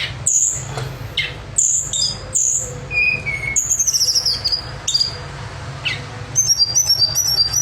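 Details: Pied fantail kept for song contests, giving sharp high chirps, short downward slurs, and a descending trilled phrase, ending in a rapid string of bright whistled notes.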